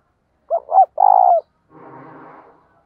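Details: Cage decoy spotted dove cooing to attract wild doves in Vietnam: two brief hollow notes and a long throbbing coo, then a fainter rough, low trailing sound after a short pause.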